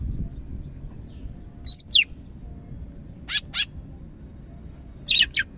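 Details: Sparse phrases of a greater green leafbird, Medan type: a whistled slur followed by paired sharp chips, repeated in short bursts with long quiet gaps.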